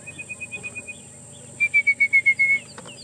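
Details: Orange-breasted bushshrike at Djuma near sunset, 20 December 2014, gives its "coffee tea or me" call: a rapid run of about seven clear, even whistled notes, with a softer, fainter series just before it.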